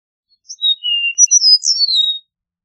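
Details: Single song phrase of an Eastern meadowlark: brief high note, a sustained lower whistle, then bright, tumbling high whistles ending in a descending slur, all in near silence.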